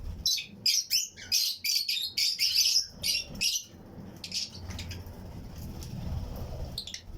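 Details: Fischer's and lutino lovebirds, pairs kept together in a flight colony aviary breeding setup, chirping among other birds: a burst of rapid high, harsh chirps in quick series, then scattered softer chirps over low background rumble.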